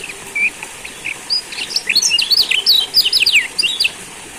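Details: Lombok yellow white-eye song played as a lure to prompt silent birds to sing again: a fast, jumbled run of high, sharp chirps and short slurred whistles, rising and falling in quick succession over a quiet background.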